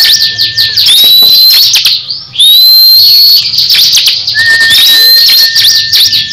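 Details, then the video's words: Crescent-chested babbler kept as a cage bird, dueling another bird: long high whistled notes slurring upward, a steady lower whistle, scattered sharp chips, with overlapping song from the rival. "Duel sengit cikris vs cisem saling adu gaya"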